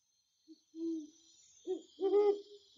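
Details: Great horned owls talking to one another in a forest: a series of deep, soft hoots in an uneven rhythm, the last ones longer and fuller, over a faint high hiss.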